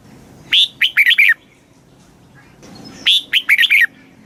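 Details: Thai red-whiskered bulbul in a cage, southern master-style song for exciting and training birds: two matching phrases of five loud whistles, an upward-sweeping opener then quick wavering notes, about two and a half seconds apart.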